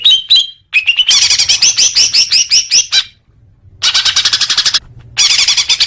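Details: Greater green leafbird song played to make caged birds sing more: loud, fast, rattling series of harsh chattering notes with a few whistled slurs at the start, broken by short silences.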